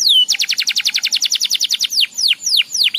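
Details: Lively canary song to get other canaries singing: one high slurred whistle, a rapid series of loud pulsing notes, then long ringing down-slurred whistles, each spaced apart.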